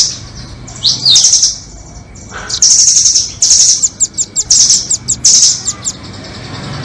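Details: Nuthatch calls played as a bird-trapping lure, doraemon and red-billed types: an upward-sweeping squeal, then dense high trills broken by quick, clipped chip notes about twice a second, all very high-pitched.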